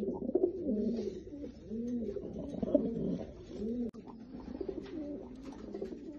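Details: Lotan tumbler pigeon cooing in a room: clear, low, arching coos that bow up and down, given in loose repeated phrases over a quiet background.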